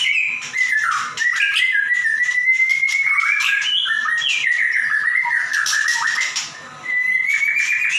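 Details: White-rumped shama kept in a cage, in full song as a model for other birds: long wavering whistled phrases that dip and rise, broken by harsh buzzy bursts, with a steady low hum underneath.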